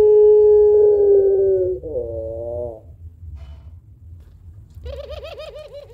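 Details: Puter pelung dove with a long, thick coo used to stimulate other birds. A steady droning coo ends in a short wavering phrase, followed by quieter, rhythmic, warbling calls near the end.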